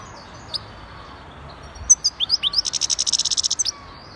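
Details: Algerian European goldfinch, a wild bird caged for two days in Jijel, gives a few high slurred chirps, then a fast even run of about fifteen buzzy trilled notes lasting roughly one second.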